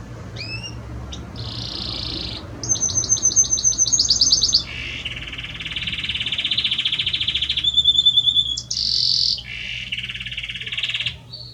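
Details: Male Belgian canary serenading his female with varied rolled tours: high buzzing trills, a bright rapid rattle, long lower churring rolls, and a clear high trilled phrase, all continuous and loud.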